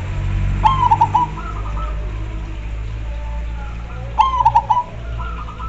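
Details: Zebra dove, perkutut, in gacor song: two loud bursts of quick rolling coo notes followed by softer answering coos, over a steady low hum in the background.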